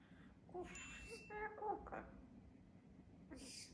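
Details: Pet double yellow-headed amazon parrot, from Oslo and living on Vesterøy island, talking and praising itself: quiet, raspy speech-like phrases with a few tonal syllables, ending in a short breathy hiss.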